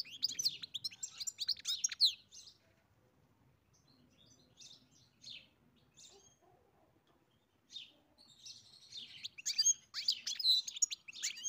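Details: European goldfinch on a farm: lively twittering song at the start, sparse soft chirps through a long quieter middle stretch, then another burst of rapid tinkling notes, with low background rumble.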